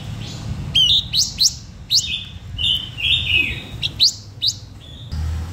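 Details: Blue-winged minla singing a lure song meant to draw in other birds: a run of sharp upslurred whistles and short warbled phrases, some slurring downward, with low background rumble throughout.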